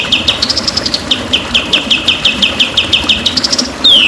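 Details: White-rumped shama singing a dense run of short, downward-slurred chips at a steady rapid pace, used as training song for captive birds, ending on a long, clear whistle that falls in pitch.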